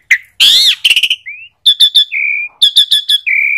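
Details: Asian pied starling: a harsh wheezy squawk, then clipped trilled notes, short rising whistles and steady level whistles in a varied series.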